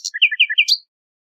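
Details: Short nightingale song phrase: a sharp high note, then quick alternating chirps that step up and down, closing with a rising whistle, all within under a second.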